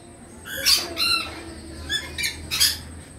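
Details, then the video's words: Moluccan red lory giving harsh, broad-band squawks, several short bursts spread over a few seconds with quiet gaps between, against a low background hum. "Moluccan red lory"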